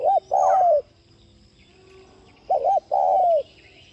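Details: Spotted dove's 'thúc' voice, a coo used to get other doves cooing: two phrases, each a brisk double hoot and a long, gently sloping coo, separated by about two seconds of quiet.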